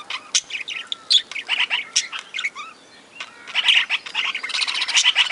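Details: Aviary-kept budgerigars alongside lovebirds chattering in overlapping high, scratchy chirps and short whistled slurs, with a brief lull before the rapid twittering builds again.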